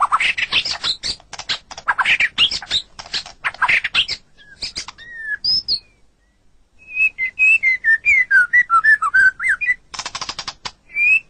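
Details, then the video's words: White-rumped shama song for training captive songbirds: bursts of harsh rattling chatter, then a brief pause followed by a run of clear, slurred whistled notes and more rattles. "Ocehan Burung Murai Batu"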